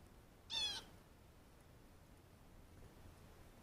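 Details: Blue jay (Cyanocitta cristata), call.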